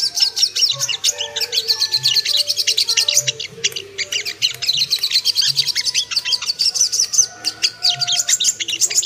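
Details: Ruby-cheeked sunbird song played to provoke and arouse birds: busy, high-pitched chittering with crisp repeated chirps, some lower whistled strands, and faint low knocks in the background.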